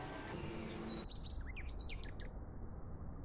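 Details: Yellow-vented bulbul feeding on guava fruit gives a quick cluster of short, bright upslurred chirps lasting about a second, set against a steady low rumble of background noise.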